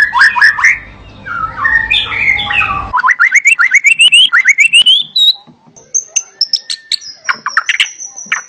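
A White-rumped Shama sings a rich, fast medley of whistles, rising slurred sweeps and chattering notes, ending in high, thin sustained whistles, with a low hum underneath at first.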